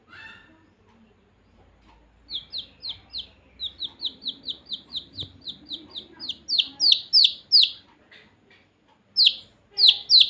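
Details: Baby chicks chirping: loud, high downslurred peeps repeated in rapid runs of about three per second, growing louder toward the end, with a faint low rumble in the background.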